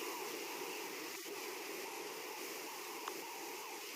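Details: Steady broadband rushing noise like flowing water, faint and even throughout, with no animal calls.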